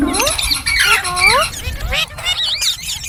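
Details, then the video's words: Green parrots calling in a busy mix of bent, looping squawks and whistled upswept notes, overlapping voices rising and falling in pitch, followed by wavering high chatter, over a low background rumble. "Beautiful Green Parrots Talking | Funny Parrot Sounds"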